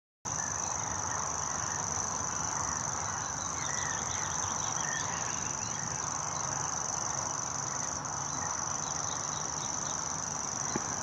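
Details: Grasshopper warbler at Irschener Winkel reels without a break, a high, dry, insect-like trill held steady throughout, with other birds chirping faintly in the background.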